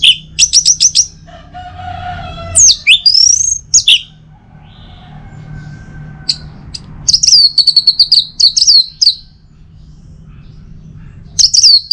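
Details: Orange-headed thrush in morning song, used to encourage other birds to sing. Bursts of rapid chirps alternate with long sweeping whistles and pauses, and a faint low hum runs throughout.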